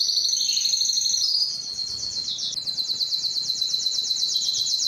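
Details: Belgian canary song meant to excite females for mating; fast high trill glides into a slower chain of repeated buzzy notes, steady and unbroken.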